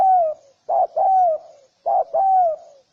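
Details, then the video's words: Cooing of a spotted dove, meant to stir males and females into cooing and fighting: mellow, slightly falling notes in pairs, a short hoot followed by a longer sliding coo, clean and quiet behind. "Tiếng chim cu gáy kích bổi kích trống mái gáy gù đánh nhau"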